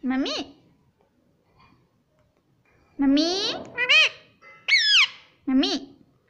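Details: Pet ring-necked parakeet repeating 'mummy': loud, rich harmonic two-syllable bursts with a rising second part, spaced by pauses of one to two seconds, in a quiet room.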